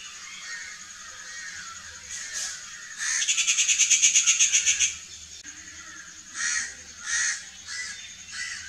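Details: Rufous Treepie giving a harsh, grating rattle of about a dozen rapid pulses lasting nearly two seconds, preceded and followed by softer, scratchy single notes against a faint background hiss.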